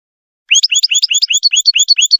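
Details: Goldfinch song for tutoring young birds: rapid, rhythmic paired chirps, each a rising note followed by a higher one, repeated steadily about ten times.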